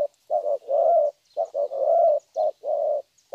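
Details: Young spotted dove cooing: low hollow coos in short phrases, a brief note followed by longer drawn-out coos, repeated in quick groups with short pauses between them.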